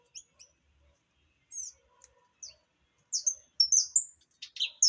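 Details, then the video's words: Sparse high chirps from an opaline saffron finch at first, building to a livelier burst of sharp, slurred notes and buzzy elements in the last two seconds. "Canário da terra opalino"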